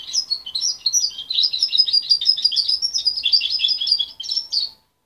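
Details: Juvenile goldfinch hybrid, reared by its mother and taken from her at 23 days, singing a fast, unbroken stream of bright twittering and trilled notes for nearly five seconds before stopping.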